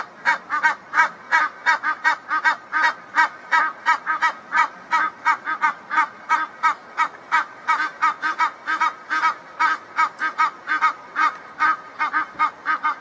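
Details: Egyptian geese, a reunited pair in a backyard perhaps talking to each other, giving a long run of hoarse, rasping honks repeated almost three times a second in an even, pumping rhythm.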